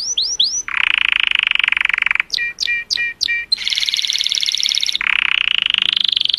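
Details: Color canary singing joyously to stimulate females: three rising upswept notes, a broad harsh rolling trill, four sharp descending notes, then loud buzzy high trills, with faint background hiss.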